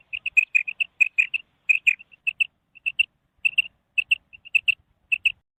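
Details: Female quail giving rapid, sharp, high notes in twos and threes, with brief pauses between bursts across five and a half seconds. The background is otherwise quiet.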